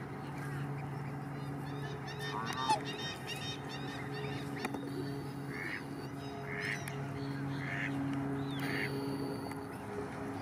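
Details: Australian black swan parents guarding three one-day-old cygnets at a nesting area on Lake Morton, Lakeland, Florida; short, hoarse honk-like calls repeat in a loose series over a steady low hum, with faint chirps from other birds.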